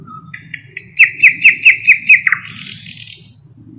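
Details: Thrush nightingale singing a varied phrase: a low whistle, soft notes, then a loud rhythmic series of six sharp, chopping notes about every quarter second, ending in a buzzy rising flourish; faint low rumble beneath.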